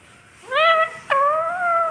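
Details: A pet talking parrot, prompted by its owner asking who it is, speaks two short nasal, voice-like phrases. The first rises and the second holds a steady, slightly wavering pitch.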